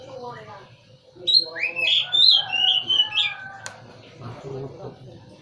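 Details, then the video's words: Oriental magpie-robin bursting into a run of bright whistled and chattering notes mid-way, after and before quieter scratchy sounds and a low background murmur. "KICAU BURUNG KACER"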